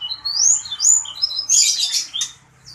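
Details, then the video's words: Sanger bird in lively song (gacor): high rising and falling whistled slurs followed by a dense, harsh, chattering burst, fading into quiet at the close. "Burung sanger gacor dor !!!"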